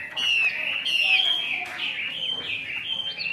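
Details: Chinese hwamei kept in a cage in Vietnam, singing rich slurred whistles that slide downward, followed by softer continuous warbling over a steady background hum.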